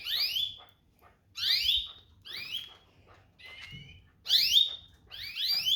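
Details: Chirping calls of a domestic canary: six sharp, sweeping notes spaced about a second apart. One middle note is flatter and doubled, and the background is quiet between calls.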